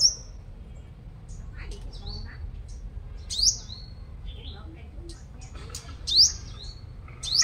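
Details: Five-coloured sunbird kept as a lure bird in Long Thành, Đồng Nai, Vietnam, described as a strong singer: sharp, very high whistled notes with a quick upward flick, spaced a few seconds apart among faint soft chirps, over low background rumble.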